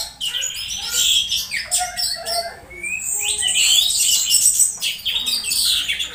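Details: Caged orange-headed thrush giving unusual sounds while stimulated, played to coax thrushes into full song at dew time; continuous rapid twittering with rising and falling whistles and a loud stretch of dense, scratchy phrases midway.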